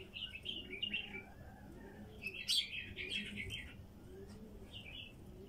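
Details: Song of a wild female bulbul, a series of soft, quick warbling phrases running together in the first half, then a brighter burst and a last short phrase near the end, over a faint steady hum.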